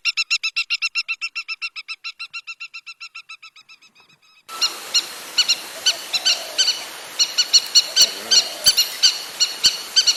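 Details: River lapwing delivering a rapid run of high, clipped notes that fades, followed by spaced sharp calls over a noisy outdoor background.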